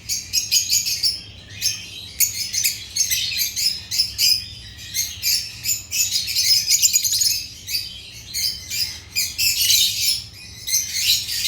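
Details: Agapornis lovebirds chirping, a continuous run of rapid shrill chirps and squeaky twitters coming in pulsing bursts roughly every half second to second, several birds calling together.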